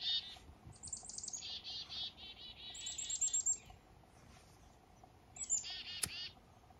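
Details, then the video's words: Black-capped chickadees in morning fog up north on a fishing trip give high whistled descending notes that slide into strings of buzzy, nasal dee notes, repeated in several overlapping bursts, with a sharp click near the end. "Blackcapped Chickadees & Morning Fog"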